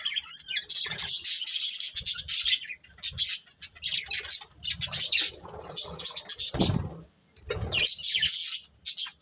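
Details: Budgerigar family of pet birds chirping in bursts of scratchy, twittering chatter separated by short gaps, with some low background rumble and a brief thump.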